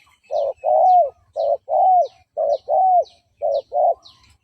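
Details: Spotted dove decoy cooing used to lure and provoke fighting males: a series of deep, hoarse coos, short notes alternating with longer drawn-out ones, about one per second, with faint high chirps overhead.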